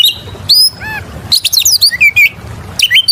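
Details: Oriental magpie-robin in full lively song, used as a lure for other birds: clear high whistles, short downslurred notes and a rapid run of bright chirps, separated by brief pauses.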